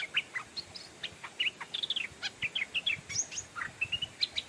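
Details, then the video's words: Decoy Stripe-throated Bulbul calling to draw in wild birds: a busy run of short, bright chirps and quick slurred notes, closely spaced and steady throughout, over a soft background hiss. "เสียงนกต่อดอกแตงEp.87 นกต่อเจ้านำโชคเรียกนกแก่ป่า (Stripe-throated Bulbul)"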